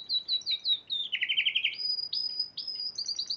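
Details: Spanish Timbrado canary, Piala Raja champion in March 2014, singing loud, clear phrases: bouncing high chirps, a lower rapid rattling trill, then long ringing whistled notes repeated in short bursts.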